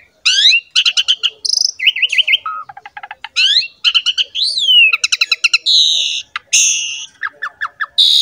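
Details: Energetic Asian pied starling singing as a lure for other starlings and cage songbirds: fast rattling note series, buzzy trills, a rising-falling whistle and harsh squawking bursts, packed closely together.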